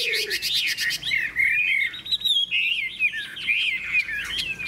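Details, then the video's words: Contest fighting song of a big-tailed golden Hwamei: a fast buzzy trill at the start, then flowing whistled phrases that rise and fall steadily. "Họa mi hót đấu - Vàng đẹp sáng chim - Đuôi to chơi cánh"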